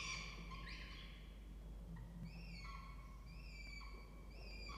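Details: Peregrine falcons using a water-tower nest box at a university in Orange, New South Wales, Australia, early November morning, with young in the nest. Quiet, thin, harmonic notes: one early slurred call, then a run of short level notes against steady low rumble.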